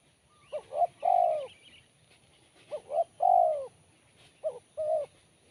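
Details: Spotted dove repeating its crisp, sharp song: three phrases of quick short coos ending in a long descending coo, about every two seconds. The last phrase is cut short. Faint chirps are heard behind.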